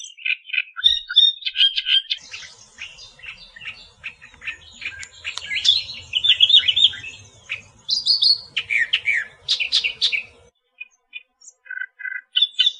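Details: Australian reed warbler singing its natural song: a long, continuous stream of varied chattering, churring and sharp whistled notes, phrases repeating in quick succession and ending in brief chips after a short pause.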